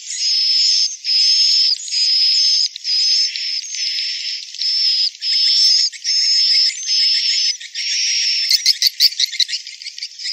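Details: Swiftlet calling tied to a swiftlet nesting building: a long run of about ten high, buzzy, sustained notes, each with a faint rising overtone, then a spell of rapid sharp clicks at the end.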